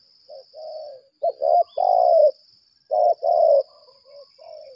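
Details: Decoy spotted dove ('lambung kuk') calling in 'berlaga' challenge mode: soft introductory coos, then two loud husky rolling coo phrases, and gentle falling notes to finish, with a faint steady high whine throughout.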